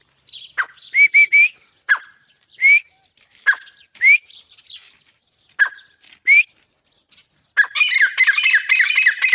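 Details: Irani teetar, a partridge, repeating sharp, upward-sliding whistled notes every second or so, then breaking into a dense, loud, harsh chattering burst in the final two seconds.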